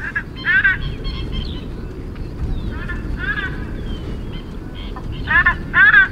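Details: A White-bellied Bustard, a mostly ground-dwelling bird of sub-Saharan Africa, gives harsh, nasal, stacked croaks in short bursts, loudest near the end, over a steady low rumble like distant traffic.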